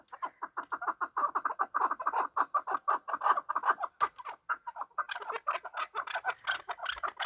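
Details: Chukar partridges fighting, a hunting bird: fast steady series of clucking chuk notes, dense and rhythmic, slightly harsher near the end.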